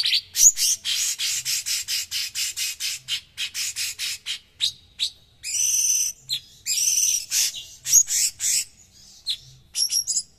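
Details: A cucak cungkok, a bird prized as a song tutor for its rough, dense voice, gives a rapid, high-pitched song of sharp chipping notes in quick bursts, broken by a few buzzy, trilled phrases.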